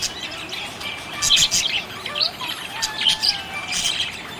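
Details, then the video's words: Budgerigar chirping happily: squeaky high twitters in bursts around a second apart, with thin lower sliding whistles between. "Happy budgie chirping sound"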